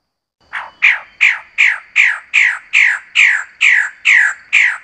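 Magnificent bird-of-paradise giving a fast series of about eleven harsh, down-slurred squawks, nearly three per second, loud and grating.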